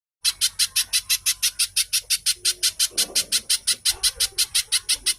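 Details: Little spiderhunter, captive-type lure recording in a fast, tight singing style said to resemble tenke buto: sharp, high, scratchy notes repeated steadily about five per second, with faint low sounds beneath.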